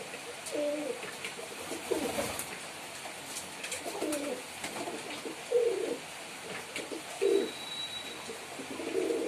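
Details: Male pigeon performing indoors, a series of low gurgling coos repeated every second or two, some rising and falling, with scattered clicks and a brief faint whistle.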